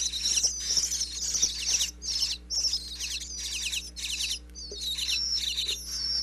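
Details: Nestling bluebirds calling from inside their Pennsylvania nest box as the parents land with food, caught with a wireless mic placed through a back crack: shrill, fast chirp bursts about every half second, sharp and rasping, over a faint low hum.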